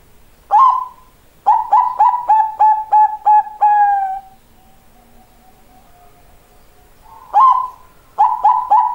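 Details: Bangkok-type zebra dove song, an opening note then a rapid rhythmic series of about eight short mellow coos ending in a longer drawn tone, quiet murmuring background, then the phrase starts over.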